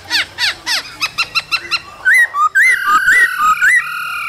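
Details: Cold-season male laughingthrush singing and dancing with a female calling; a quick series of short harsh downslurred notes speeds up, then switches to loud looping whistled phrases and a held whistle.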